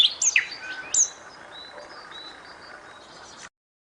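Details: A nightingale gives a few loud, piercing whistled notes, then softer high warbling that trails off before silence.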